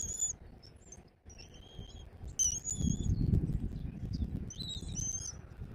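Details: Bald eagle at a nest camera in Southwest Florida, 2024, early afternoon: thin, high whistled chirps with clear overtones come in short bursts, separated by pauses. Heavy low rumbling and flapping or rustling noise runs underneath.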